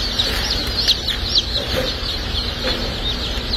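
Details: Dark Brahma baby chicks at a hatchery on hatch and shipping day, many chicks peeping together in a dense, continuous chorus of high, short, downslurred cheeps over steady background noise.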